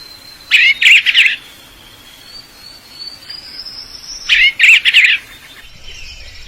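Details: Male bird seeking a mate: two bursts of three harsh, scratchy chirps each, about four seconds apart, with a faint thin rising whistle between them.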